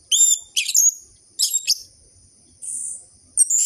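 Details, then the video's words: Orange-headed thrush song used to coax sluggish, silent captive birds into singing: sharp high descending whistles and chattering notes in short bursts with gaps, plus a steady faint high hiss. "Pancingan burung anis merah macet dan malas bunyi"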